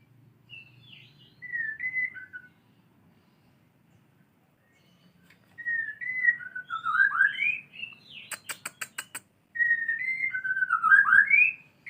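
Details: White-rumped shama learning canary song with varied whistled phrases of rising and falling slurs, separated by pauses, with a brief run of sharp clicks in the middle.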